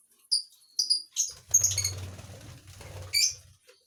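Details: Shrill lovebird notes repeated about every half second at first, then a busier stretch of chirps over a low droning hum, ending with one more loud squeaky note.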